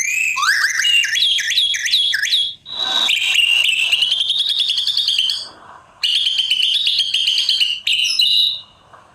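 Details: Long white-rumped shama song: rising and falling whistles, sustained warbling passages with trills, and short bursts after brief gaps.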